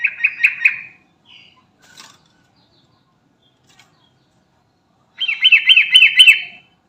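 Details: Sooty-headed bulbul, garuda type, calls its companions in two bursts: a brief run of four chirps, a long quiet gap with faint ticks, then a louder series of looping whistled notes.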